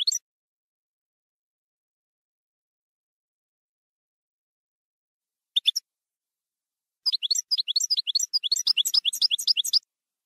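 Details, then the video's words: European goldfinch singing campero-style song: two brief twittery bursts, then after a pause a fast run of high, tinkling, liquid notes that continues for about three seconds. No other sounds. "JILGUERO CAMPERO"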